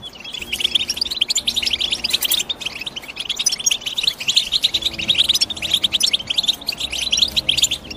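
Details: European goldfinch chirping: a dense, continuous twitter of quick high notes, with no pauses, as if several birds overlap, staying busy for the full eight seconds with small swells in loudness.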